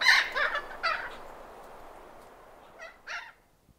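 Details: Thick-billed parrot in Arizona giving harsh, squawking alarm and contact calls: a rapid burst of three or four raspy notes, then a pause and two more, over soft wind.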